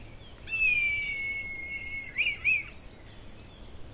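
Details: A Red Kite gives its whinny-like call: a long, thin whistle that slowly falls, then two quick wavering notes, over a soft hum. This call is often heard in February–March over mid-mountain pastureland.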